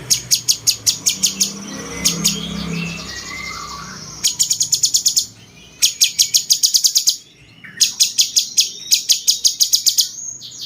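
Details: Cucak cungkok bulbul in the 'rasa jenggot' style, kept as master song for training champion birds: fast runs of piercing, high staccato chips broken by short silences, with faint lower whistles at the start.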